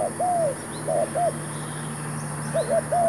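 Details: Decoy spotted dove calling during a trapping session with a new bird and new trap: arched cooing phrases of quick short notes and a drawn-out falling coo, a pause, then the phrase again.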